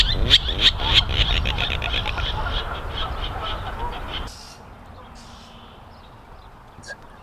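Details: Virginia Rail out of the reeds at Horn Pond, eastern Massachusetts, in May, gives a loud rapid series of harsh grunting notes, about three per second, for four seconds; another, probably its breeding mate, answers faintly from the reeds; Virginia Rail.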